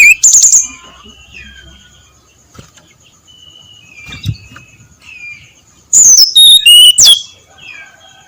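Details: At dawn, a brown-chested jungle flycatcher gives its ngeplong song, a short ringing burst of high notes to open and a louder run of quick, descending whistles near the end, with soft bird chirps between.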